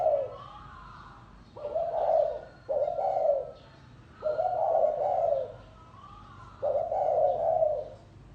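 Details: Spotted dove cooing in the 'lối gáy gù' manner: five deep, rounded coo notes, some paired closely, others after longer pauses. Soft higher twitters sit in the background.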